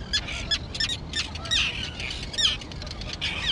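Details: Young terns at an island colony overgrown with thick grass, recently fledged and flying; short harsh rasping calls burst out in quick irregular bursts from several birds, with a low rumble of background noise.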